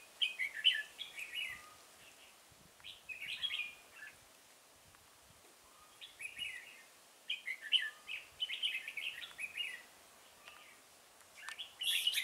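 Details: Trapping with a decoy bird at Chùa Hương, Vietnam, 5 March 2018: a red-whiskered bulbul delivers repeated lively whistled phrases, each a quick jumble of slurred notes, grouped in bursts with pauses between.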